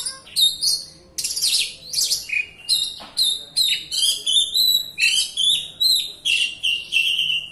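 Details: White-rumped shama in continuous full song, a lure meant to set off a quiet bird: fast, tightly packed phrases of sharp whistles, buzzy notes and trills, mostly high, each burst about half a second long.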